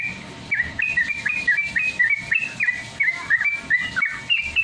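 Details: Sooty-headed Bulbul ropel, played to get caged birds singing fast: rhythmic bursts of short clear whistles, up-slurred and down-slurred, grouped in quick clusters.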